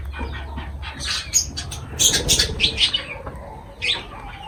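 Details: Feeding lovebirds: a quick burst of about four bright, scratchy squawks in the middle, a softer call at the end, and light low rumble underneath.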